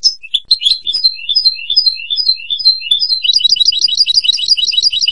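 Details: European goldfinch singing: a run of quick, bright two-note chirps slurring up and down, which then breaks into a fast, dense twittering trill through the second half.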